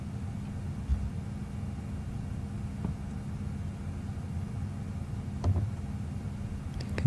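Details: Low vehicle engine rumble with a few faint clicks and knocks, and no animal calls.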